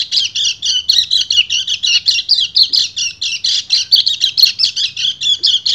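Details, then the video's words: Male white-eye (kecial kuning) in breeding condition, singing to call a female: a continuous, fast, rattling chatter of high notes, pulsing about four times a second without a break, with a faint low hum beneath. "PLECI GACOR NGEBREN - KECIAL KUNING BIRAHI MEMANGGIL BETINA"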